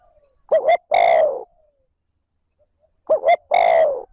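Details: Spotted dove decoy calling smoothly and continuously ('trơn ròng') to stimulate wild birds: two phrases, each a quick pair of hollow notes and a longer drawn coo, about two and a half seconds apart.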